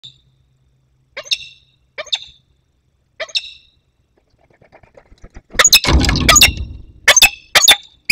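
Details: Young peregrine falcon flying in to meet an adult, Barycz Valley, 15 August 2021. Three short harsh harmonic calls at about one-second gaps, then loud rumbling wind or handling noise with sharp clicks and a few overlapping calls.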